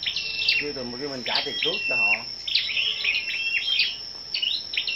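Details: Scarlet-backed flowerpeckers in a morning singing contest, birds gathered together on 10 May: sharp, high ticking and short flat whistled notes, densest in the second half, over a steady thin high whine, with a wavering low voice-like sound early on.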